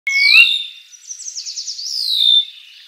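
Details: Sora (Porzana carolina) at Shiawassee, Michigan, USA, 18 May 2023, gives a high, squealing call that rises sharply, then breaks into a fast, wavering trill sliding downward over about two seconds.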